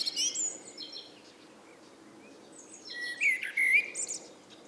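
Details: Evening bird chorus. High twittering notes from another bird open the clip, then after a quiet gap a blackbird gives a short, mellow fluted phrase with a squeaky ending.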